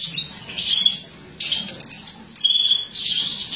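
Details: Captive-bred mutated female European goldfinch, described as embuchando (feeding), with a high twittering song of bright chirps and short clear whistles in bursts, separated by brief pauses.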